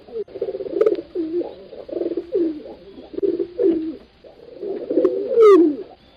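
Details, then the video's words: Pigeons cooing indoors: many overlapping low, rolling coos repeated without pause, with one louder drawn-out falling coo near the end and a brief high rising squeak above it. "Tiếng Chim Bồ Câu Hót"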